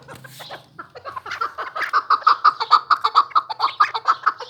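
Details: A newly kept chukar partridge gives a run of clucking notes that start soft and uneven, then steady into loud, evenly spaced chuk notes, roughly two a second, with a faint low hum in the background.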